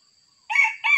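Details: Wild Sumatran red junglefowl crowing during trapping with a decoy: a short harsh, strident burst of two parts, the first held, the second starting abruptly, over a faint steady high whine.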